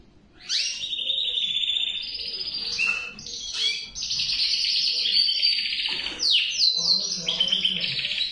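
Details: Male canary starts singing after a short quiet moment, pouring out long buzzy trills, a sharp rising sweep, then sustained warbles and rapid chattering phrases.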